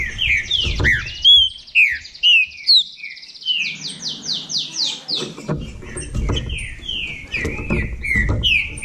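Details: Two Bahia saltators dueling in song, loud bending whistles alternating with a rapid series of buzzy repeated notes, over intermittent low thumps and background rumble.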